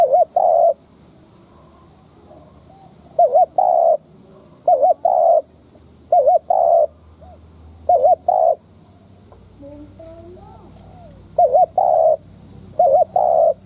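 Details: Decoy spotted dove giving lure coos to provoke wild doves: repeated phrases of a wobbling coo and a firm coo every couple of seconds, with faint softer calls and low hum in between.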